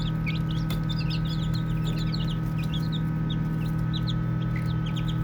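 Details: Soft, high peeps from a group of baby chicks at play, scattered and overlapping, with one brief click and an even low hum in the background.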